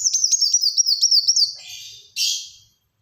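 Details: Black-throated sunbird in rapid 'tembakan rapat' song for luring and tutoring birds: a quick even series of high wavering whistles, about eight per second, trailing into a thin buzz and one loud harsh burst.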